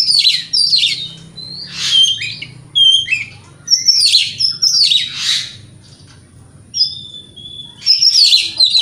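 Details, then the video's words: Oriental magpie-robin (kacer) song used as a provocation track to stir other magpie-robins: bursts of sweet whistled notes and buzzy, scratchy phrases sliding between high and mid pitch, separated by short pauses, with a faint steady high hum. "30 Menit Dengarkan Pancingan Kacer Ini - Kacer Jenis Apapun Gak Kuat Nahan Emosinya"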